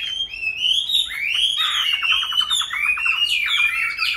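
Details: Chinese hwamei kept caged for five years after wild capture sings a clear whistled phrase, then a rapid stuttering series of short repeated notes, followed by more rising and falling whistles.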